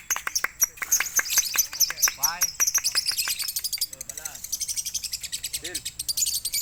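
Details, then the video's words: Lovebird singing at a contest in West Sumatra, Indonesia: rapid, dense high-pitched chattering and chirps, short notes repeated more than twice a second, with people talking in the background. "LOVBIER KARAPAI SAMPAI GELENG KEPALA"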